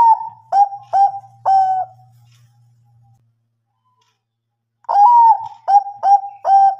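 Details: Bangkok-type zebra dove cooing as a lure to get reluctant birds to answer and sing: two phrases of mellow hooting coos, a long wavering opening note then short clipped ones, split by a near-silent pause with faint low hum.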